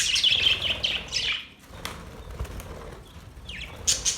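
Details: Happy budgies chirping amid a flurry of wing flapping, scratchy warbles fading mid-clip before fresh chirps return at the end.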